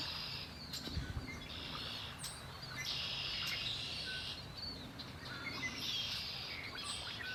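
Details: Birds singing at Lake Erie, high buzzy trills in bursts of one to two seconds with short chirps and a few clicks between, over a low steady rumble.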